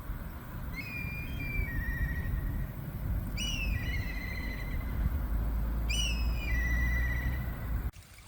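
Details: Probable black kite in the countryside near Tanema-ji temple on Japan's Shikoku pilgrimage route, hot, humid weather: three high whistled calls about every 2.5 seconds, each sliding down into a lower quavering trill, over steady wind rumble.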